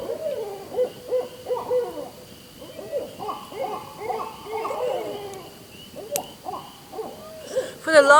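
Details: Barred Owls caterwauling near an off-grid cabin in the Central Ontario wilderness: a wild jumble of overlapping hoots, cackles and wavering wails that ends in a rising, quavering screech.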